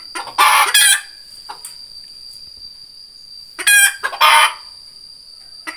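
Red junglefowl giving two short, hoarse crows about three seconds apart, each clipped off abruptly, over a steady thin high-pitched whine.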